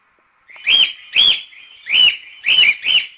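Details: Cockatiel repeating a clear, loud whistled call that rises then falls, five times in about three seconds, with nothing else heard.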